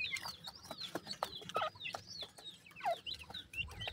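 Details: Several captive Black francolin chicks, described as weakening, call in quick succession with piercing thin peeps and falling whistles, mixed with sharp clicking sounds.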